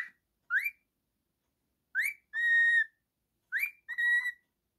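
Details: Male cockatiel, a pet bird, whistling a rising upslurred note followed by a sustained flat buzzy whistle, phrase given twice after an opening call.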